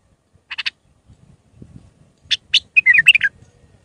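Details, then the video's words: Iraqi bulbul with a raw Mandalawi song for tutoring young bulbuls: three quick ticking notes, a faint low rumble, two sharp notes, then a short liquid warble. "تغريد بلبل عراقي خام مندلاوي راقي ساعة كاملة التعليم افراخ البلابل"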